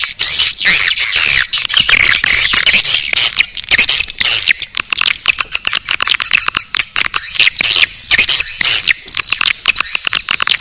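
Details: Swiftlet luring track called Naga Birahi: an unbroken, crowded chatter of fast clicks and buzzy chirps, loud and steady throughout, with faint high whistled strokes woven in.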